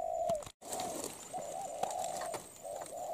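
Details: Wild-caught spotted dove that is molting, giving a good, quick cooing sequence: low, hollow coo notes repeated in short phrases of two or three notes, with a brief gap and some faint background hiss and clicks.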